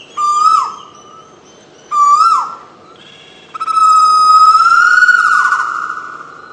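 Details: Bird in the Jambari sal plantation of Cumilla, Bangladesh, giving two short whistled notes that bend downward, then one long, steady, slightly rising whistle held for nearly three seconds before fading; background otherwise quiet.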